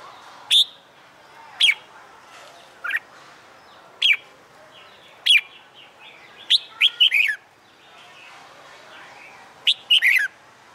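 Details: Caged red-whiskered bulbul, a wild-caught bird trained for fighting song, sings a month after moving to a new cage: short bright warbled phrases with sharp upswept notes, repeated about every one to two seconds over a quiet background.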